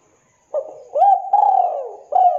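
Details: Spotted dove cooing as a 'kuk 2' style master for training and luring. A short soft note, then a rising coo flowing into a long falling one, ending with a clipped final coo. Clean background.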